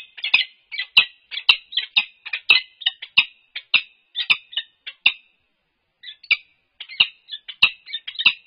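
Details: A peregrine falcon pair at UC Berkeley, captured on a livestream camera on 3-4-22 during head bowing and nest scrape courtship. Rapid, grating chip-chup calls run in dense strings for five seconds, pause, then resume, with faint knocking clicks.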